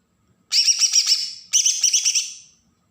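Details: From Berau, Kalimantan, a Bornean green leafbird in agitated besetan song used to provoke other birds: two quick bursts of rasping, rapid, high buzzy notes, each about a second long, separated by a brief break.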